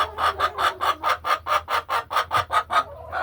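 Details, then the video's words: Laying hens in their hen house on an ordinary farm afternoon; a steady series of about a dozen evenly spaced clucks, close and clear, over a faint low hum. "A Peaceful Afternoon in the Hen House | Real Farm Sounds"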